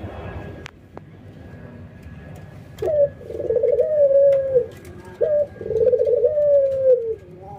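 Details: Captive doves, a white albino dove against a local dove, nodding and "laughing" during a routine training session: two long, soft, low, gently wavering rolling coos of about two seconds each, with faint clicks in the background.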